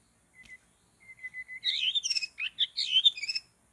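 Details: In forest during bird trapping, a white-rumped shama starts with a few short level whistles, then breaks into a rapid, loud, warbling flourish of varied twisting notes.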